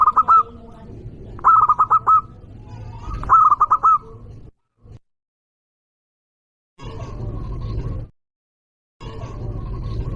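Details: ['Loud local zebra dove used to lure and provoke rival birds: three pulsed cooing phrases spaced about two seconds apart, followed by silent gaps and stretches of broad low noise.']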